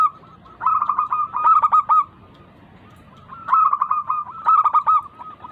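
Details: Local zebra dove song, used as a lure to get lazy doves singing: two bursts of four or five clipped, ringing coos, with a softer steady cooing between them.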